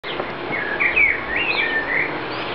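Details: Common blackbird fledgling calling: a run of thin, high chirps and short warbled notes that rise and fall over about two and a half seconds, steady faint background hiss behind.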